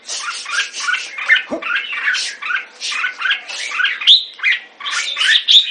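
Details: Jambul, the red-whiskered bulbul, in captivity, pouring out dense squawky chattering phrases, broken by a sharp click and later a bright rising whistled note; a faint background hum persists.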